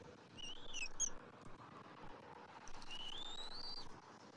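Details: Bald eagles at the nest, January 27, 2024, while the father feeds fish and red meat to the eaglet: two high, thin whistled notes, a short wavering one and then a longer one rising steadily, over low rumbling noise.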